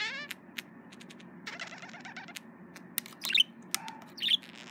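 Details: Male budgerigar courting a mirror, giving scattered sharp chirps and short harmonic warbling notes, with quick clicks and taps in between and louder squeaky bursts toward the end.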